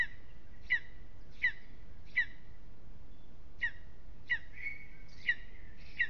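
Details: Evening unrest at a lesser spotted eagle nest in an aspen, Aizkuja, Latvia. Eight shrill, clipped yelps come in two bursts separated by a second-long pause, with a short, softer wavering note in between.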